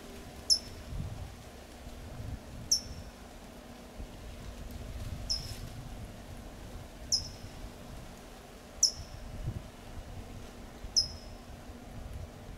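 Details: Single high, piercing tsip notes from a California towhee in Del Monte Forest, California, repeated six times at roughly two-second intervals, each a brief downward-slurred chip against a quiet outdoor background.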